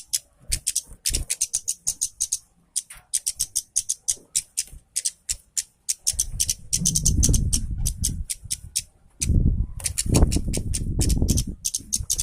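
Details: Orange-headed thrush singing energetically, played to stimulate a lazy thrush to sing: quick bursts of sharp high ticking notes, broken midway by loud low rumbling handling or room noise.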